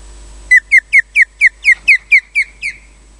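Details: Osprey at its nest at RSPB Loch Garten, Scotland, filmed by a wildlife camera, giving alarm calls while defending the nest: ten loud, sharp whistled notes, each sliding downward, repeated about four per second, then stopping; quiet background.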